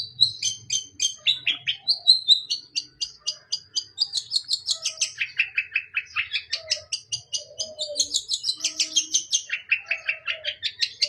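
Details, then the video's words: Energetic, varied fill-in song of a long-tailed shrike: a continuous stream of rapid chirping notes sweeping up and down between shrill high and mid-pitched phrases, with faint lower tones in the background. "Cendet Gacor Full Isian"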